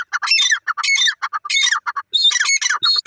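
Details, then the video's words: Francolin (teetar) giving loud, harsh squawking calls in rapid bursts, each a cluster of rasping notes with bright overtones, repeated about every half second with short gaps; little background noise. "teetar awaz enjoying"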